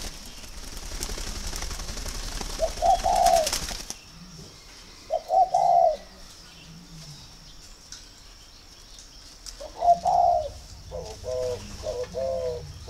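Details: Spotted dove kept at a Ba Vì dove farm in northern Vietnam, cooing as a sign it is ready for pairing: three separate mellow coo phrases spaced seconds apart, after an opening burst of rustling noise.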